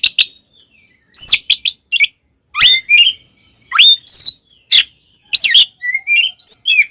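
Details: Oriental magpie-robin giving a provoking fighting song aimed at other magpie-robins: clustered sharp upswept whistles and clear looping notes in short bursts separated by brief silences, bright and high.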